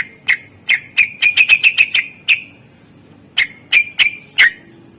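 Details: Greater green leafbird master song: a fast rattling burst of about ten clipped notes, a pause, then four further sharp calls spaced unevenly. Meant to prompt silent birds to sing.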